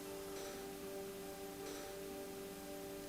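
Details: Soft sustained bell-like musical tones ring steadily over a faint hiss, with two brief brighter swells and no animal voices.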